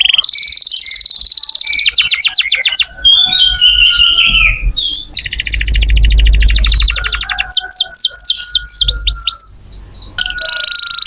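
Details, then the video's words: Lively canary in full song, used as training audio for other songbirds: rapid trills, buzzy rattles and repeated down-slurred whistles in fast series, with a low rumble midway. "Kenari gacor cocok buat masteran kacer nembak"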